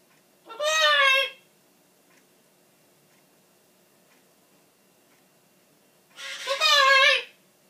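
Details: Pet macaw, indoors, in a tantrum because it thinks its owner is leaving, yelling "bye bye": two loud harmonic shouts with a wavering, bending pitch, each about one second long, separated by five seconds of quiet.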